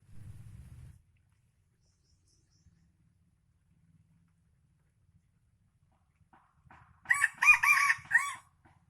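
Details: F1 red junglefowl from Aceh crowing: after long near-silence and a brief low rumble at the start, a short harsh crow of about four clipped, stacked syllables bursts out near the end.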